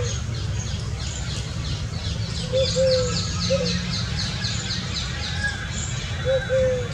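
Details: Indian scops owl, one of a family of five enjoying water in hot summer weather, giving soft, low, frog-like 'wuk' notes a few seconds apart over a low rumble, with faint high chirping and a thirsty crow harassing them.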